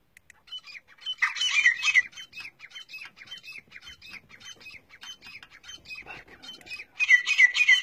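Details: Grey francolin (teetar) from a Pakistani hunting outing, calling in a loud burst of shrill repeated notes, then a softer stretch of quieter repeated phrases, and another loud burst at the end.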